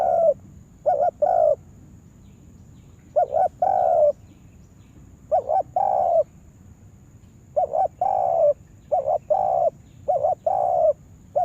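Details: Captive spotted dove used as a decoy for trapping in a yard: clustered phrases of a quick wobbling double note and a drawn-out mellow coo, grouped in bursts separated by gaps of about two seconds.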